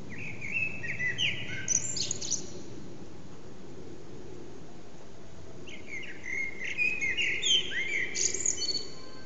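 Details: Morning song of common blackbirds in a backyard, with two bursts of fluty, twittering phrases at the start and end separated by a quiet gap, over steady low background noise.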